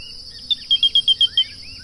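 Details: Grey-breasted crake giving a quick run of six sharp, high piping notes at an even pace, with softer rising whistles from other birds and a constant high insect hum behind.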